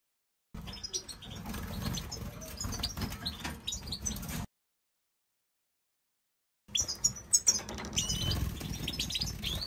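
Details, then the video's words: Major goldfinches kept in an aviary: bright, high twittering and quick chirps in two bursts separated by a few seconds of silence, over a steady low rumble of background noise. "Major Goldfinches | Goldfinch Bird"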